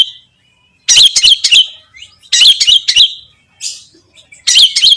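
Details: Loud, grating clusters of fast chattering notes from a long-tailed shrike, played to make other shrikes sing, repeating roughly every one and a half seconds with short gaps between.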